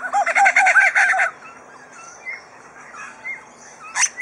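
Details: Superb lyrebird housed at Adelaide Zoo, known for mimicking, gives a loud rapid harsh chatter, then soft scattered whistled notes and a final short raspy burst.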